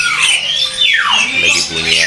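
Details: Caged Black-naped oriole (Oriolus chinensis) at a kiosk in Pramuka bird market, East Jakarta, giving harsh, nasal squawks with a sliding, falling whistle, over a man talking and other caged birds.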